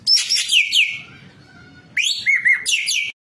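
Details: Training recording of white-breasted kingfisher song in 'gacor full isian' style. Opens with a loud run of buzzy downslurred notes, goes quiet for about a second, then a rising sweep, warbled whistles and harsh descending phrases.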